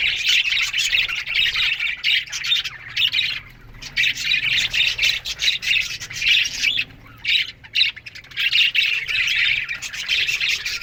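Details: Budgerigars in an aviary colony in the morning, a dense chorus of many birds chirping and squawking over each other, with rapid scratchy warbles and chatter, briefly dipping into short pauses before the racket resumes.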